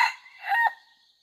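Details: Closing part of a crow from a second-generation jungle fowl in training, dated 5/9/2020. A harsh note drops, then a drawn-out raspy phrase swells and fades away, leaving a faint high hiss.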